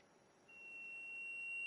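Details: Black-and-gold cotinga (saudade) in Serra do Mar State Park, Núcleo Cunha, Brazil, 2004: a clear, level, sustained high whistle begins after half a second and slowly swells, continuing to the end over soft forest hiss.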